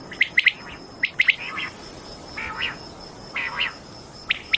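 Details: Quail calling on a Mianwali, Pakistan hunting recording: a few sharp high triplets are followed by fainter, hoarse buzzy notes, over a steady hiss and a thin high tone.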